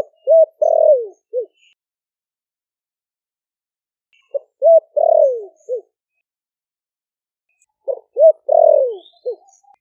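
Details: Spotted dove in a cage, Ninh Thuận, four months since capture from the wild, giving the deep 'thổ sấm' coo used to lure wild doves: three phrases roughly four seconds apart, each a clipped note, arched note, long descending coo and brief closing note.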